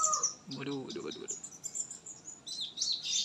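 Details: Oriental white-eye singing after misting: short bursts of high, thin twittering notes at the start and end, with faint low voices in the middle.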